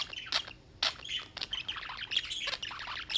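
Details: Several birds chattering in New York, United States, with high chirps mixed with harsher squawky notes, quieter and more rasping than steady song.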